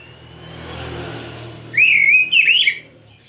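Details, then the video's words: Oriental magpie-robin song used for training caged birds: after a stretch of passing vehicle rumble, two loud whistled phrases ring out, the first wavering and the second rising and falling, then quiet. "MASTERAN KACER GACOR FULL ISIAN !! - Masteran Burung Kacer"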